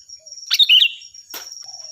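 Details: Loud, clear sooty-headed bulbul song meant for teaching other cage birds: one quick gurgling, chuckling phrase, then a brief noisy burst, over a constant thin high whine.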